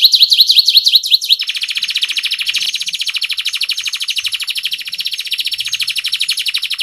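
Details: Canary song played to get lazy canaries singing: a few bouncing whistled notes, then a long, fast, even buzzy trill.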